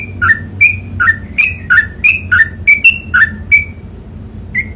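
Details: Rapid 'ropel panjang' song of a sooty-headed bulbul: crisp whistled double notes alternating low and high, tightly repeated, then a few thin high peeps before a final lone whistle, against a low indoor-like hum.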